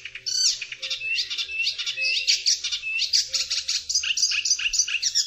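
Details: Icterine warbler in dense, continuous song: chattering high phrases, rising whistled slurs and rapid repeated notes. The phrases shift quickly, with a soft low rumble in the background.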